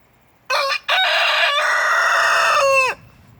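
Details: Rooster crowing while his hens take a dirt bath: a loud harmonic crow with a short first note, a brief gap, then a long sustained strained syllable ending in a falling tail, over a quiet low background hum.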